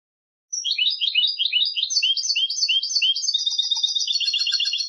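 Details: Contest song of a European goldfinch, one unbroken stretch of rapid liquid twitters and chirps, high and bright, shifting from looping down-slurred phrases into fast rattling repeated notes.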